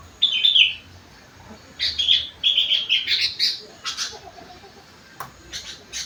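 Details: Sooty-headed bulbul with song filled with rengganis and cucak wilis phrases: a clear whistled opening note, then a rapid run of high chattering, chirpy phrases, ending in scattered short twitters.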